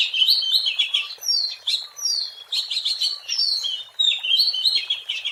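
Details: Wild Oriental magpie-robin singing, used as a lure; a continuous, varied stream of bright whistled and chattering phrases, rising and falling quickly with brief pauses between bursts.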